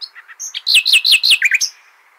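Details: Common nightingale singing Hasaniya song as tuition for goldfinch and hybrid chicks; quiet lead-in notes, then four or five loud, ringing, downward-slurred chirps in quick succession, closing with a brief high flourish.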